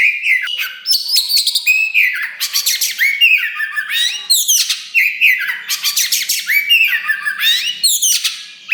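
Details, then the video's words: Oriental magpie-robin, a caged black (wulung) songbird kept to spur other birds into singing, delivering loud, varied song: rich whistles, harsh buzzy rasps and rapid sweeping slurred notes in repeated bursts, with no other sounds. "KACER WULUNG RAJA LANGKA GACOR DOR !! BARU DORONG EKOR TAPI GACOR SUARA KERAS TOA || VOICE OF KACER"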